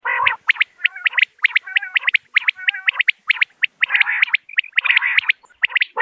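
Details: Common quail calling, a recording used as a hunting lure: rapid bursts of sharp, high clipped notes in threes and fours, overlapping with lower nasal, buzzy notes. Several calls run together almost continuously over six seconds, with a faint steady hiss.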